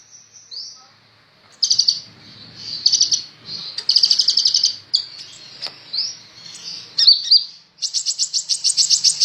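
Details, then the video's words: Kolibri ninja, a sunbird, in lively song meant for tutoring other birds: sharp rapid trilled bursts broken by thin upslurred whistles and a quick twittering run, ending in a long evenly pulsed high trill. "Burung Kolibri ninja super gacor cocok buat masteran"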